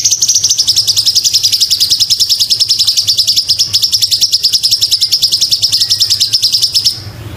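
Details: Sumatran leafbird masteran song: one unbroken high trill of quick, regular chirps, about three pulses a second, lasting nearly seven seconds before stopping abruptly.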